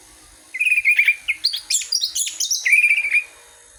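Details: Orange-headed thrush song used as a lure to spur other birds to sing: a steady whistled note near the start, then a quick run of varied sweeping, rising and falling phrases, ending on a long level whistle.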